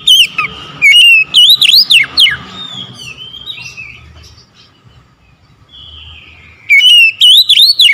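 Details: In morning song, an oriental magpie-robin gives a loud string of sweeping, looping whistles, then quieter trailing notes, then another vigorous whistled phrase.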